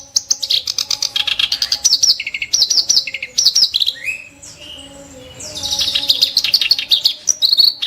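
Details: Kerak basi song of sharp, coarse 'shots': rapid grating chatter with interspersed lower buzzy notes, a quieter gap near five seconds, then a loud rush of harsh high scratchy phrases.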